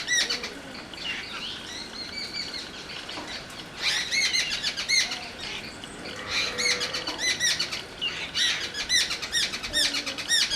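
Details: Jungle babbler (satbhai) chorus: loud, grating, rapidly repeated chattering notes in dense bursts every few seconds, rising to a noisy crescendo toward the end, with faint softer chirps between outbursts.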